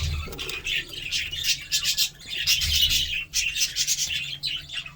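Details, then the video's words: Budgerigar flock-like chattering, a stream of buzzy squeaks and rapid warbled chirps in uneven bursts with brief dips, over a low background hum. "budgie sounds"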